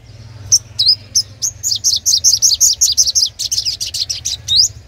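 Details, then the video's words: Sunbird song for luring wild birds: an almost continuous, fast chatter of loud, high, rising and falling notes, roughly four per second, over a low hum. "Tiếng hút mật 5 màu/chim chuyền gọi bổi"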